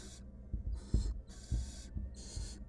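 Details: Wild barn owl female inside a research nest box, tangling with her mate or an intruder: four rough, airy hisses in quick succession, separated by short silences, over dull thuds and scratching.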